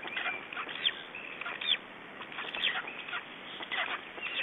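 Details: Black stork chicks alone at an Estonian nest, evening of 3 June 2012, 19:18; scratchy, wheezing notes come in short uneven clusters, some with brief whistled tones, over constant faint hiss.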